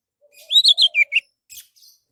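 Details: Orange-headed thrush, its song used as a lure to make other birds sing: five rich, loud whistled notes in a rapid run, slurring up and down, over a faint steady low whistle.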